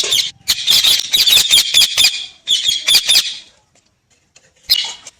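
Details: Parrot calling: a rapid series of harsh, raspy squawks in bursts, roughly two per second, then a pause and one more short squawk.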